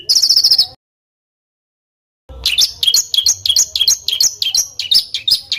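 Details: Rough, tightly rolled bird song meant as tutor audio for competition birds: a brief high trill, a silent gap, then quick varied chirps repeated about three times per second.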